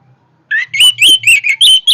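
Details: Powerful orange-headed thrush song, a fast string of loud whistled notes starting with a lower slurred whistle, then bright chirps repeated about every quarter second.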